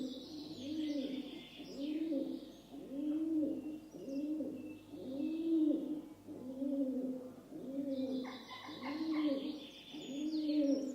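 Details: A rock dove (Columba livia) gives deep, throaty, rolling coos in a steady series, about one per second, while small birds chirp faintly in the background.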